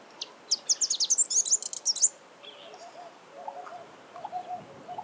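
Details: Sunbird in its natural habitat: a rapid burst of very high, thin twittering chirps for about two seconds, then quieter; a dove coos softly and repeatedly in the background.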